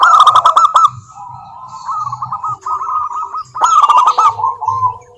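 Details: Local zebra dove song used as a lure to make lazy doves sing: bursts of rapid staccato cooing notes, then a long rolling run of soft trilled coos, with a low steady hum underneath.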